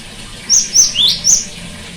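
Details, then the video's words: A short burst from a cinereous tit, used as therapy for one that no longer sings: four sharp whistled notes, three high and level and one sweeping upward, on a quiet background. "terapi gelatik batu macet bunyi"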